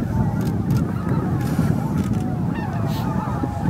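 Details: Thousands of greater white-fronted geese, about 15,000 in all, settling onto the roost at Miyajimanuma, Bibai, on an April 2016 evening. An unbroken wall of honks and yelping calls over a heavy low-pitched rumble.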